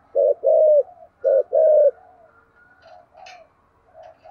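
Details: Two loud pairs of low coos, a short note then a longer falling one, from a thổ sấm-voiced spotted dove in thúc gù style, followed by quieter, fainter cooing.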